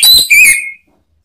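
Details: Male orange-headed thrush singing in the ngeplong style, used to provoke other birds to answer: one loud, clear whistled phrase with a bright high start sliding into a steadier lower whistle, then silence.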